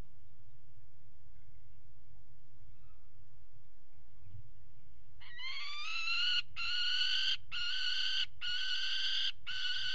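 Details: Peregrine falcon at a water tower nest box, 5 February 2018, during mating on the ledge: after quiet low rumble, loud harsh rising wailing calls begin, in a rapid series of long strident notes broken by short gaps.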